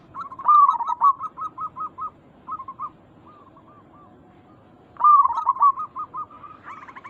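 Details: Zebra doves of local and Bangkok-cross stock cooing as a lure: a loud bubbling phrase trailing into a quick series of clipped coos, a faint lull, then the same loud pattern again.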